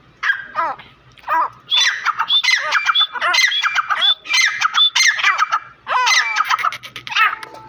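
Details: Iranian grey francolins (teetar), two birds fighting, give a busy run of harsh, hoarse squawks mixed with brief whistled notes, overlapping almost without pause throughout.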